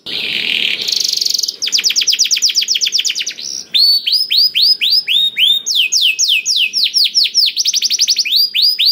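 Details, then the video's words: A loud singing canary, played to stimulate canaries that rarely sing. A short hissing buzzy note opens, followed by long series of rapid ringing arched whistles repeated about four times a second, switching pitch between phrases. "KENARI GACOR DOR INI MEMANCING KENARI YANG SUSAH BUNYI JADI IKUT GACOR"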